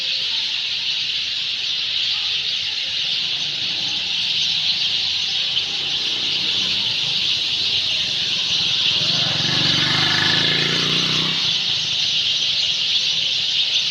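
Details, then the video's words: Sind sparrows in their nests in trees at evening, as day ends and night begins, keep up a dense, high, steady chorus of overlapping chirps, several notes a second, with a vehicle passing briefly partway through. "Sparrows In their nests ||the day is over||Night is to begin||Chirping Sounds ||Sind Sparrow"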